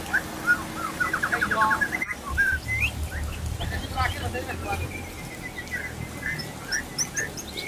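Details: White-rumped shamas sing rapid rich trills and clear high whistles at a practice contest held to test a favourite bird's nerve, several birds overlapping, with people talking in the background.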